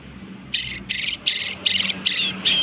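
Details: White-rumped shama song used as a lure to provoke or train other birds: six loud buzzy chattering bursts in quick succession, each rich and high-pitched, with a faint low hum beneath.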